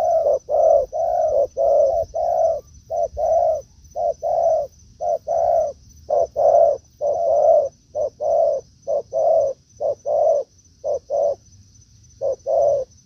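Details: Spotted dove calls during a forest meeting of a decoy bird and a wild dove: a long sequence of deep, rounded coos, short notes interleaved with drawn-out ones, near one per second, over a persistent high thin tone.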